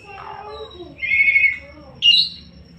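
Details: After faint low murmuring, an Asian pied starling gives a drawn-out wavering whistle followed by a short, bright, high chirping phrase, sung in gacor style.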